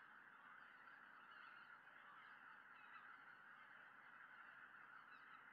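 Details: Evening return of a big flock of greater white-fronted geese to a lake in Tohoku, Japan, in early December, watched by a peregrine falcon. An unbroken, steady wall of overlapping goose honks, with no single voice standing out.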